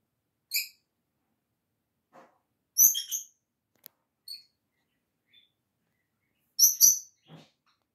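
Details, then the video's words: Pet lovebird calling to its sister, which ignores her: short, sharp high-pitched shrieks, single or paired, spaced several seconds apart with quiet gaps between, plus faint soft clicks and rustles. "Lovebird calls to sister who ignores her"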